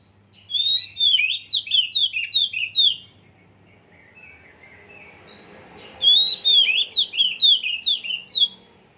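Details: Oriental magpie-robin whose song is still in its training stage, giving two bursts of rapid, slurred whistled notes, each swooping down in pitch, with a quiet pause of about three seconds between bursts.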